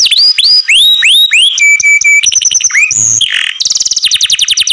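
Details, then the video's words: Canary song full of variety: swooping whistles, a held flat tone, quick pulsed trills, a harsh buzzy burst, then a very fast rattling trill. "DANGER ! THE MONEY OF THIS CANARI MAKES EARS ache"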